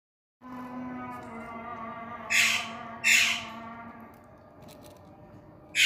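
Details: Indian ringneck parakeet giving two loud, harsh, broadband squawks about a second apart, then a third starting at the end, over a steady low mechanical hum with layered tones.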